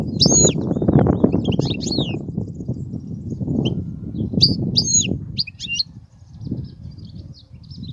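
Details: European goldfinch song for tutoring young goldfinches: scattered short twittered and slurred high notes in small clusters, heard over a steady loud low rumbling background noise that fades near the end.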